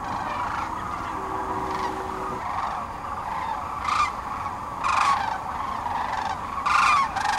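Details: A large flock of sandhill cranes on the Platte River in central Nebraska in mid-March 2009, at a spring migration stopover, gives a dense, steady chorus of rolling, trumpeting calls. Louder, nearer bugling bursts rise above it every second or two.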